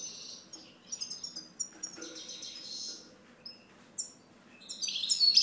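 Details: Song of a European goldfinch: a run of quick, high tinkling chirps and short twitters, ending in a louder burst of rapid jangling notes.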